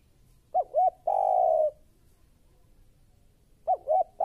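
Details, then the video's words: Spotted dove, called fierce, in a lure recording for training: two quick rising hoots then one long steady coo, a pause of about two seconds, then the same phrase begins again. "Suara Tekukur Baru Galak"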